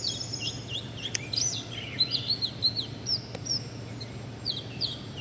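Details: High sweet chirps from small birds, short tweets in bursts with a few sharp clicks, set against a steady low background hum.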